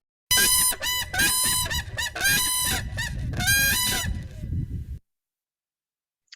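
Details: Whooping crane; unison call; bonded pair calling together, after mating or defending territory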